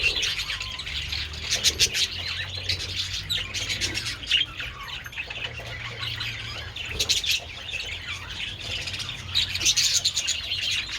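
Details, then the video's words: Continuous warbling chatter from budgerigars enjoying treats in the sun on 27 February, with sharp high chirps and occasional squawky notes layered over a low background rumble. "Adorable budgies enjoying treats in the sun"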